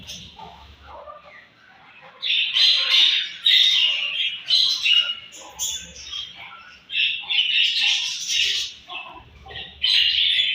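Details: Budgies chirp at their morning food: after a quieter opening, bursts of rasping chatter and short squawky notes come in uneven waves, each lasting one to two seconds.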